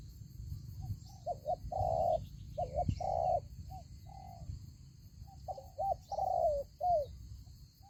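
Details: Spotted dove serving as a trap lure calls low, hollow coos, a bouncing double note leading into a longer purred note, the last phrase sliding downward; one soft knock and steady background hum.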